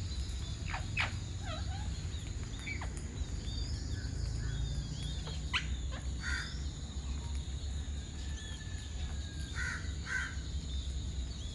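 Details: Alexandrine (Ceylon large) parakeet, a resident bird in Sri Lanka, gives harsh, scratchy screeches in short scattered bursts, some rising and falling, over a steady low rumble of wind or distant traffic.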